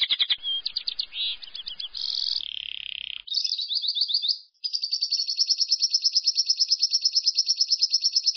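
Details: Lovebird ngekek, a long-breath trill meant to stimulate other lovebirds to sing: chirps and buzzy segments, a short gap, then a long high trill with steady rapid pulses.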